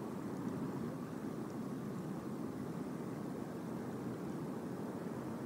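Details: Steady rumbling drone like a distant aircraft or vehicle, without any clear animal call.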